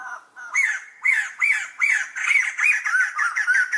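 White-crested laughingthrush giving a harsh, chattering laughing call of rapid squawking notes, about two or three per second, with no other sounds.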